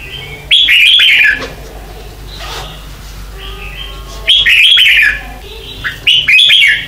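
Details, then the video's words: Red-whiskered bulbul morning song, used as a lure recording to train caged birds in competition singing: three loud, bright, warbled phrases with quick rising and falling notes, spaced a few seconds apart, with softer whistles between. "Luyện Chào Mào hót sáng hay nhất"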